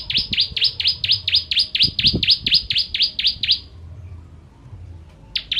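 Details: Ciblek or bar-winged prinia delivering a long run of about fifteen fast, identical high chirps, each sweeping down and up, then silence and a fresh start; a master recording for tutoring contest birds.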